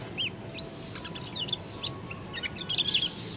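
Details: Lombok 'dakun' Oriental white-eye with a strange-sounding song: high, thin chirps and short warbled phrases, irregular and broken by pauses, over a soft rumbling background.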